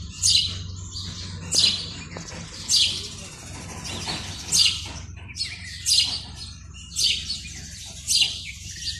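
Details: Male house sparrow calling at a nest box in early morning in February, breeding season, to attract females; loud bright chirps repeated roughly every 1 to 1.5 seconds, each a short harsh burst, over a low steady background hum.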